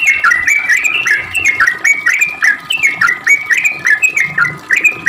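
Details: Rapid ropel song of a sooty-headed bulbul, a lure for answering birds: quick series of clear whistled notes, each slurring down then up, repeated in a lively stream against a faint hum.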